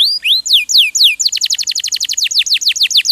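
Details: Canary song used to teach songbirds: a few clear swooping slurs leading into a long fast trill of sharp downward-sweeping notes, about five per second.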